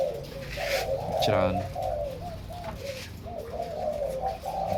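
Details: A crowd of caged zebra doves, many breeding pairs housed in a room, coo in rippling repeated phrases, briefly overlapped by a man's voice just after the first second.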